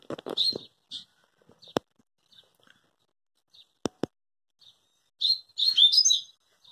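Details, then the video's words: Rusty-collared seedeater with a short twittering burst at the beginning and a fuller, quick run of high, warbled notes near the end. Isolated loud clicks and faint chips sound in between. "Papa Capim"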